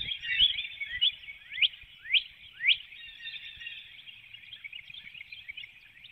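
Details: Before dawn in Hanover, Pennsylvania, on 12 April 2019, a female bald eagle leaves the nest holding her nestlings and calls in flight through the woodlot. A few loud, downslurred chirps stand out over a steady background of twittering.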